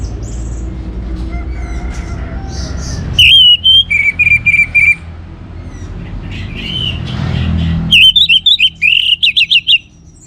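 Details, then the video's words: Orange-headed thrush from Singaraja, Bali, singing vigorously as a prompt for other birds: loud ringing whistled phrases in rapid stuttering series, then a final burst of fast varied trills and slurs, with a low hum between phrases. "ANIS MERAH Gacor Untuk Memancing Burung Jadi NGeplong Bahkan Teler"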